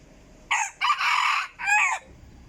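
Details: Decoy chicken crowing: a harsh, broken call in three loud segments, the middle one longest, rough and buzzy, ending abruptly, over a low background rumble.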